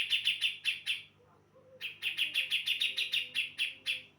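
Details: Female brown-cheeked bulbul from Java, singing actively as a lure for males: rapid series of sharp chirps repeated about three times a second, a pause of under a second, then a longer run of the same clipped notes.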